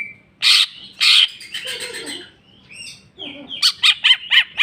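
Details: Greater green leafbird's bongkar isian song in full jamtrok form: loud harsh bursts, chattering phrases and a slurred whistle, ending in a quick run of five sharp repeated chips.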